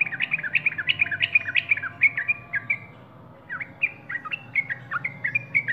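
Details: Yellow-vented bulbul in song, delivering rapid liquid chirps and short slurred whistles, some rising and some dropping, in a lively jumble with one brief gap midway. Soft low background hum.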